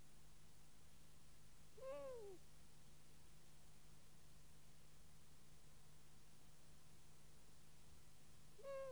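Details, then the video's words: A long-eared owl at its nest in Kielder, Northumberland, recorded with a nest microphone, gives two drawn-out, nasal, slightly arching calls about seven seconds apart over a steady low hum; long-eared owl. "Long eared owl at the nest"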